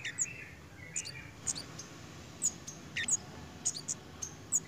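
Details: Pied fantail in breeding condition: crisp, very high ticking calls repeated roughly every half second, a few doubled, with a brief lower squeaky phrase at the start and a steady low hum behind.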